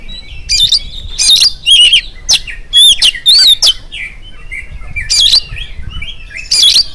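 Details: An oriental magpie-robin sings in the morning to coax other birds into song. Rich wavering whistles alternate with loud harsh chattering notes in short bursts, with softer warbles between them.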